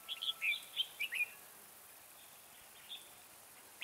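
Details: Red-whiskered bulbul kept as a trapping decoy, singing a lively phrase of clear, jumping whistled notes in the first second, then near silence with one faint note and a short chirp at the end.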